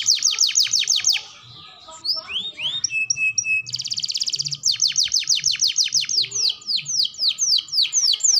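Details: Canary song for training young birds: quick descending trill, a pause with scattered chirps and a flat whistle, a dense buzzy roll, then long runs of rapid falling notes.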